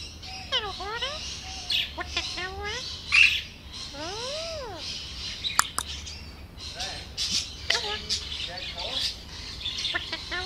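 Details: Pet Alexandrine parakeet in conversation with its owner, giving a long run of harmonic, swooping squawks and chattering notes, rising and falling arcs, with a man's voice saying "hello buddy" around it.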